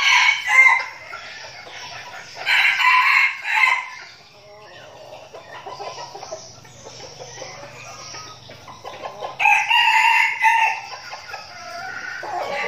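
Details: Red junglefowl decoys practising in Binh Phuoc, Vietnam, give repeated hoarse crows spaced a few seconds apart, three loud bouts in all, with murmured clucking, a low drone and shuffling between them.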